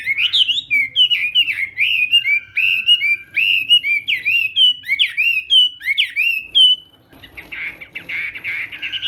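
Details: Chinese hwamei, morning voice training for a singing contest: rapid series of loud, bending whistled notes for about seven seconds, ending in a softer, hissing, buzzy stretch.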